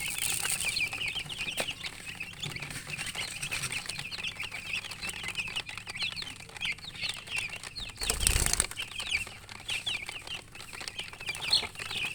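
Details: Baby chickens just out of the egg keep up a constant high-pitched peeping chorus, repeated chirps from several chicks, broken once by a short burst of rustling or flapping noise.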